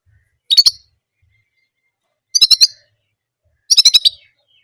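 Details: Orange German canary singing a single repeated phrase: three short, bright, buzzy trilled bursts, each about a third of a second, spaced roughly every one and a half seconds, with silence between.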